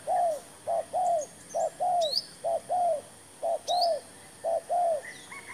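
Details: Low, mellow coos from a spotted dove, a new decoy bird brought out for trapping with a fresh trap, repeated in steady paired and single arched notes about once a second, faint high chirps of other birds behind.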